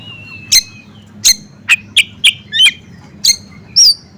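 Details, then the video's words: Bar-winged prinia sound mixed with magpie robin, used for teasing birds: eight short, sharp chirps about half a second apart, some with brief whistled tails, over a low steady hum. "SUARA BURUNG CIBLEK GUNUNG DI SAMBUNG SUARA KACER"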